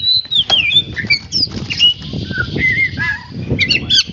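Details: Kacer (oriental magpie-robin) training its voice: a varied medley of sliding whistles, short downward notes and sharp chips, closely spaced, over a low background murmur.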